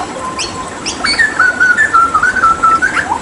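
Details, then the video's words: A few soft clicks and a low whistle open the phrase, then the Papua hooded butcherbird launches into a sustained, fluty whistled warble that wavers up and down before ending on a falling note. "Masteran Tembakan JAGAL PAPUA gacor"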